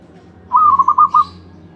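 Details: Zebra dove champion in ecek ecek style giving one brisk phrase of about six rounded, rolling coo notes at a steady pitch, under a second long.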